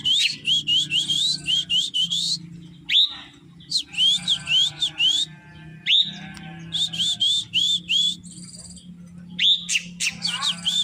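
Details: Srigunting krantil drongo in full voice: clusters of sharp, high whistled notes with upward flicks, phrases lasting one to two seconds with quieter gaps, some softer warbling between, and a constant low background hum.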